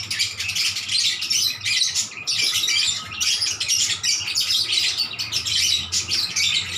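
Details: Lovebirds answering each other in lively, melodious chatter: dense bursts of high, shrill chirps and squeaky twitters, overlapping almost without pause, with brief gaps of a fraction of a second, and a low hum underneath.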